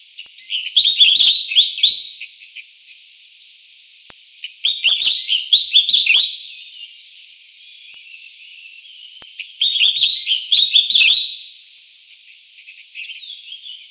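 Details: Collared finchbill (Spizixos semitorques cinereicapillus) giving three bursts of bright, chattering warbled notes, each about one and a half seconds long, repeated every four to five seconds against a quiet background.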